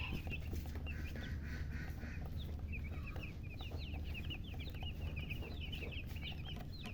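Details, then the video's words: Chicks chirping, with scattered high peeps early on, then a fast, busy chorus of short upward-flicking chirps from about three seconds, backed by a steady low rumble. "silly chicken chirping sounds with murgi hen color chicken"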